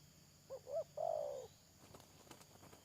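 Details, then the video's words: Decoy spotted dove for trapping, recorded 31 May 2022: one coo phrase, two short hoots and a long falling coo, followed by light clicking and rustling. "Pikat Tekukur"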